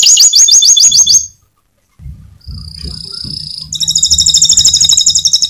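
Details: Mecut-style canary song that other canaries are said to answer at once: a rapid run of bright, high chirps, a short gap, a sustained whistled note, then a dense, rattling high trill over a low hum.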